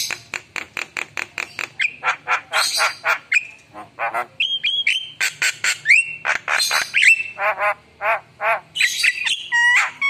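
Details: Energetic Javan myna song packed with fill notes: rapid harsh chatter, scratchy squawks, short level whistles and wavering nasal phrases in a varied, nearly continuous ten-second stream.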